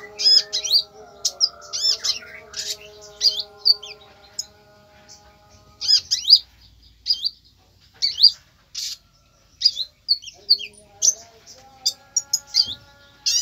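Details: Konin pouring out a long run of high, piercing chirps and chattering phrases in quick clusters, with brief pauses, against a soft continuous tonal drone.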